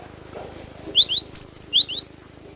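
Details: Cinereous tit song: a quick run of about eight high, whistled two-part notes, each bending down then up, alternating between higher and lower pitches over just over a second, against a low steady hum.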